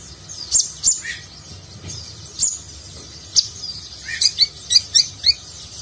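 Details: Van Hasselt's sunbird (kolibri ninja) giving a rich nagen-style song used as a model for contest birds; isolated sharp high chirps, then a quickening run of bright ticking notes.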